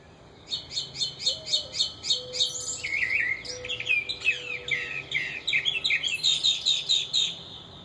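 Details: Yard-dwelling mockingbird couple with babies just out of the nest; a rapid even series of high chirps gives way to a dense, varied chattering run of notes that carries on to the end.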